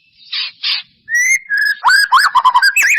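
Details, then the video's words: White-rumped shama singing in response to a lure meant to provoke song; two short raspy bursts, then a long steady whistle, a lower held note and a quick run of varied slurred whistles and chips. "Pancingan murai batu mancet bunyi ‼️ pancingan murai batu males bunyi‼️respon cepat"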